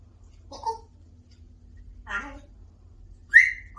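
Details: African grey parrot talking non stop: three short, separate vocal sounds. The first is a low, voice-like syllable, the second a grainy speech-like burst, and the last a sharp rising whistle. A faint steady hum sits underneath.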